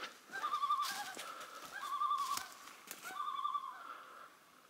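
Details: A Common Loon on a lake in the Northwoods in the morning, somewhere out of sight, gives three quavering, wavering mid-pitched phrases about a second apart, with faint clicks and rustling in the background.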